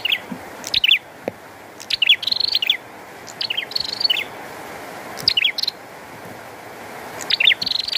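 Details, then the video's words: Lively bar-winged prinia with rain pattering, repeated short phrases of sliding chips and fast buzzy trills every one to two seconds, occasional drip clicks over the steady rain sound. "Burung Prenjak Gacor & Air Hujan"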